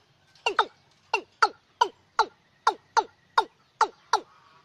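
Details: Watercock lure call for night use in lunar months six to ten: about a dozen abrupt descending clucks, some doubled, spaced roughly every half second in a steady series against a quiet background.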